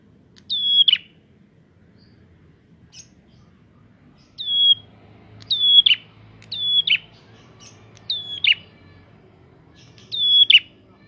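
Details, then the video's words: Prinia song used to provoke other prinias: loud, high whistled phrases, each a sharp downward-bending note with a buzzy tail, repeated in bursts after a quiet gap, over a faint low hum. "Prenjak gacor!!! Pancingan untuk burung prenjak bahan"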